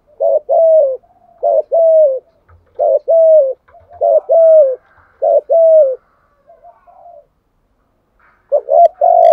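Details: Calling spotted dove used as a lure, Dong Son voice, repeating its phrase about every one and a half seconds: paired low coos, short then longer with a slight downward slide, several times over, ending with a stronger coo.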